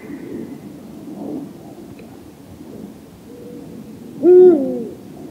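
A single deep, booming hoot from a Eurasian eagle-owl, swelling and then falling away, heard over a soft background rumble.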